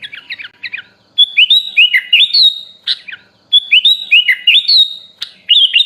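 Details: Training recording of sooty-headed bulbul song with elaborate fill-in phrases: a few quick chirps, then two similar bursts of bright, looping whistled notes that rise and dip, separated by a short gap and a sharp click.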